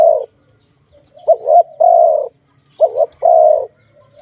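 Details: Low, mellow dove coos from a trapping context: a soft lead-in note, then two phrases, each a brief wavering double note followed by a long, steady coo, with pauses between.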